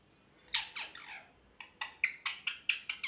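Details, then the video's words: Parrot chirping in a happy mood: a string of short, sharp, scratchy chirps, a few spaced notes first, then a quick run of about eight clipped chirps roughly every quarter second, over faint room hiss. "Parrot Chirping Sounds (Happy Voice)"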